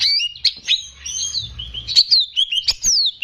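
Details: Greater green leafbird in lively song for training young birds: continuous sliding whistles and mimic-like phrases mixed with sharp clicks.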